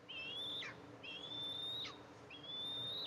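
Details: Eastern imperial eagles at a camera-watched nest on July 14, 2024, the mother arriving to feed two eaglets; high thin whistled calls, each rising slightly then ending in a short downward slur, three in about three seconds.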